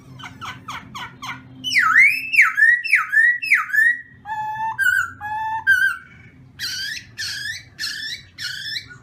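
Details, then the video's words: Black-throated laughingthrush in voice-training morning song: a rapid burst of short notes, then four strong downslurred whistles, a pair of lower clipped phrases, and a final series of sweeping whistles. Low background hum. "Khướu mun hót luyện giọng . Khướu hót sáng luyện giọng kích bổi"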